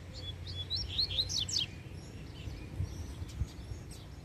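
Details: Free-flying male double-collared seedeater singing excitedly while its female sits in a nearby tree and on the ground; quick high slurred whistles and chirps in a tight burst, then fainter scattered notes over steady low background rumble.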